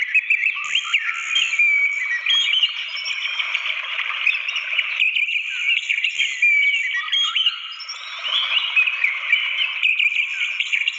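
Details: Wild orange-headed thrush song near a waterfall: dense, unbroken chatter of quick whistles, trills and slurred notes, briefly softer near the eighth second, all layered over constant rushing water noise.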